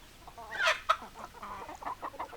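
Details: Hens clucking, a short burst of harmonic squawks and clucks around 0.7 and 0.9 seconds followed by softer, uneven clucking notes.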